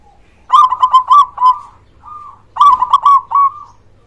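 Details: Local zebra dove with a big voice, used to coax reluctant doves into singing; two loud phrases of several rapid, bouncing coos, with a faint single coo between them.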